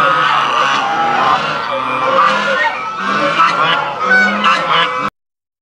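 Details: Flock of domestic Chinese geese surrounding the recordist at Tobu Zoo, Japan, April 2021; rapid overlapping honks and cackling calls from many birds for five seconds, then abrupt silence.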